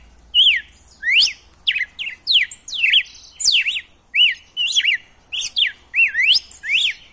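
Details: Wild-style red-cowled cardinal song intended to excite a captive male: dense chain of clear whistled zigzag phrases and upward sweeps, nearly continuous over seven seconds.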